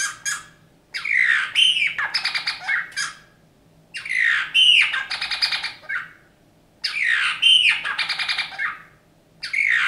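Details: A captive Eurasian bullfinch, rescued injured and frozen from a snowdrift in January 2019, sings phrases of creaky, squeaky notes mixed with brief piping whistles, each burst about two seconds before a short pause.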